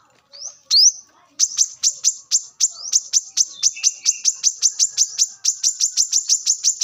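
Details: A brown-throated sunbird recorded in the wild as a lure and training sound. A rising upslurred note is followed by a long, steady series of rapid high ticking notes, about four per second.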